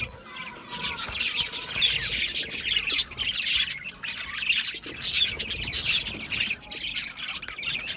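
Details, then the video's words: Budgies calling in short bursts of squawks and twitters, starting soft then swelling into lively overlapping chatter. "Budgie Parrots Chirping sounds"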